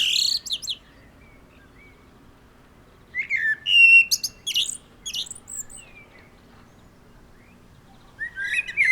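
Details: Common blackbird singing in the wild: separate song phrases, each a mellow whistled start breaking into high scratchy twittering, with long quiet gaps between three bursts.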